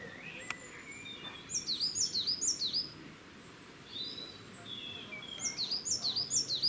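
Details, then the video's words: Coal tit singing in Cambridge, UK, on 2 June 2020: two bursts of rapid, high, repeated dipping two-part notes, roughly four then five phrases, with a quiet pause between and a steady low background hum. "Coal Tit bird singing call"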